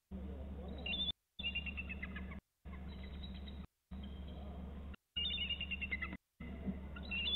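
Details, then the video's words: Bald eagles calling around 14:53 while leaving and returning; repeated bursts of high, squeaky chittering notes, sometimes trilled and falling in pitch, come in several short runs over a constant low-pitched hum broken by gaps of silence. "Eagles off BST calling then return"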